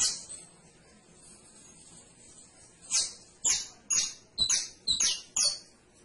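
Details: Canary singing: after about three seconds of quiet, a run of six sharp high chirping notes, each a bright downward sweep, repeated roughly every half second.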